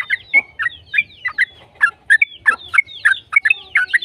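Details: Yellow-vented bulbul singing rapidly and continuously as a lure for other bulbuls: rich, throaty chirps and slurred whistles in uneven clusters, a few each second.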